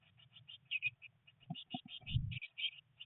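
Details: Three blue tit chicks in a nest box on day nineteen after hatching, a rainy day with first flight attempts, give rapid series of high short chirps, with soft knocks and rustling beneath a steady low hum.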